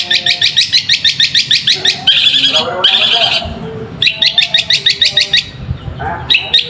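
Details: Long-tailed shrike lure song for provoking other shrikes to sing. Steady, fast trains of rasping notes, broken by short buzzy bursts, then another rapid rhythmic series resumes.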